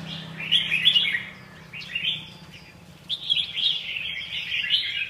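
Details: Red-whiskered bulbul giving three bursts of melodious warbled notes, each a cluster of quick rising and falling slurs, against a faint low droning background.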